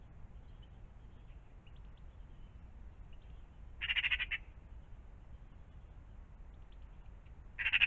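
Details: Mostly quiet morning scene at a pond, broken by a brief harsh magpie rattle midway and another starting at the very end.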